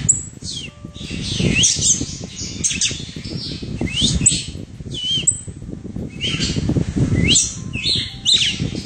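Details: Red-cowled cardinal perched on a hand, calling with frequent high, thin chirps and brief rising whistles in quick clusters, separated by short pauses, over wing flapping and a constant low background rumble.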